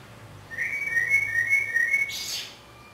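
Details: In Budapest, 27 May 2014, a common blackbird sings from near a window hide: one sustained, gently wavering fluted whistle lasting about one and a half seconds, then a brief high chattering twitter at the end.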